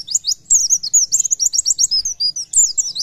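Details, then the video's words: Oriental white-eye singing in the energetic 'gacor nembak' style: a fast run of very high, thin twittering notes and sharp whistled slurs, pausing briefly after the first half-second, then a dense chatter to the end. "PLECI GACOR NEMBAK"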